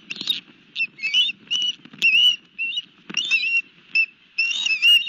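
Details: At its Barnegat Light nest with a fish, an osprey gives loud squealing whistles in short separate bursts, some rising, some wavering, with gaps between and soft low rustle behind.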